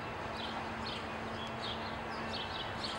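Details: Brief high slurred notes from an American goldfinch at a feeder, several in quick succession, against continuous low background noise and a faint steady hum.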